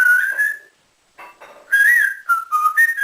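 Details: Pet African grey parrot, a caged male trained at home to whistle like a builder. Its loud, pure whistles slide and waver, a long note, then a pause, then quick falling and rising phrases.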